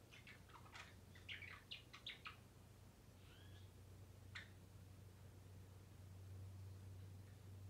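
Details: A Java sparrow about three months old sings with its back turned, its song revealing its sex: a quick two-second burst of chirpy, clicking notes, then two scattered higher chirps, over a steady low indoor hum.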